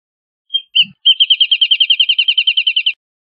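A Wrentit gives two short lead-in notes, then a rapid run of about seventeen even, ringing piping notes that roll on for nearly two seconds.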